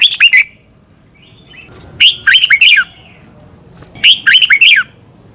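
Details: Red-whiskered bulbul singing in Thailand, used so that caged birds learn the doubled song: three clear phrases, each of fluty, rolling notes, repeated about every two seconds.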